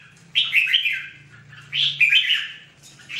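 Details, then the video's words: Red-whiskered bulbul singing: two bright, bubbly phrases about 1.5 seconds apart, each a quick run of rolling, slurred whistled notes, with a faint low hum underneath. "The Sound Of The Birds Singing Wonderful: Birds Red-whiskered bulbul"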